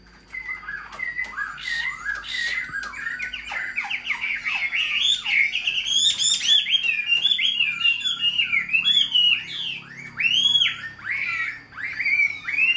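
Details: Caged hand-tamed hwamei singing a long, varied song: dense overlapping whistled slurs and twitters, rising and falling in pitch, with occasional sharp clicks, sustained for over ten seconds.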